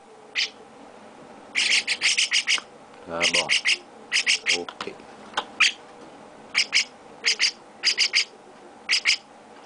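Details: Owner-fed baby chestnut-cheeked starlings give scattered clusters of sharp, rasping chirps, irregular and spaced out, while a person speaks Portuguese softly in between.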